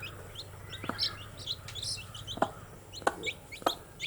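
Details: Group of young chicks cheeping in short high-pitched peeps, overlapping in quick succession, with sharp knocking taps, likely pecking, at irregular intervals and a faint low hum underneath.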